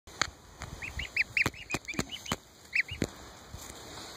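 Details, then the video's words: Ducklings and goslings together; series of high, short upslurred peeps repeated about a dozen times over four seconds, with sharp clicks and knocks in the background. "Ducklings and Goslings at White Hawk"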